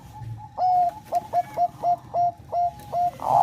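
A zebra dove sings a run of about eight soft, mellow cooing notes. Each begins with a quick stutter and then holds, spaced roughly every third of a second.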